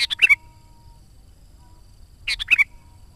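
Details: Sooty-headed bulbul singing energetically as a call for wild and trainee decoy birds: two quick bubbly warbled phrases over two seconds apart, with a faint steady tone between them.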